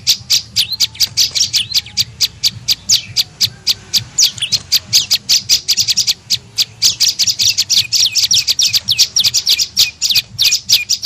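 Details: Lure call of an olive-backed tailorbird for pulling in birds: a steady stream of rapid, piercing high chips, slightly stronger toward the end, over a quiet low hum.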